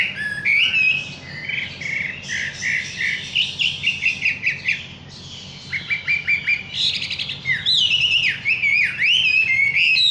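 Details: Wambi bird singing energetically: a continuous, varied stream of bright chirps, rapid trills and upward-sweeping whistles, with a dense buzzy patch midway, over a low steady hum.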